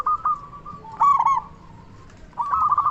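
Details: Local zebra dove calling loudly to provoke other doves: short coo notes, a louder trilled phrase, a near-silent gap, then a fresh rolling coo sequence.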